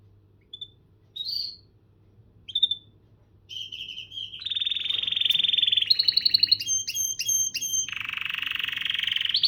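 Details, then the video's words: Canary starting with a few soft separate whistled notes, then breaking into buzzy rolling trills, sharp repeated ringing notes and a lower long buzzy tour. "كناري مذهل و تغريدة رائعة / Amazing canary and wonderful tweet"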